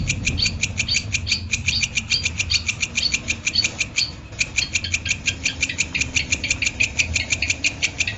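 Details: Cendet (long-tailed shrike) in masteran audio for training birds: a steady, rapid series of sharp clicking ticks with short squeaky notes woven in. There is a brief gap just after four seconds, and a low background rumble throughout.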